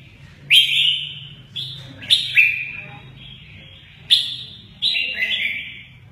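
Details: Red-whiskered bulbul singing in the song style known locally as mơ ché nẹt while showing lively wing play; loud bright whistled phrases that drop in pitch, four bursts over six seconds, with a faint low hum beneath.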